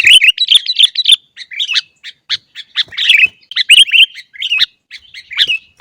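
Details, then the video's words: Lively sooty-headed bulbul singing, meant for teaching kept bulbuls to sing eagerly: a quick cluster of bubbly chirps opens, followed by spaced, sharp squeaky notes and more chirp clusters. "masteran Burung Kutilang Agar Cepat Bunyi Dan Gacor"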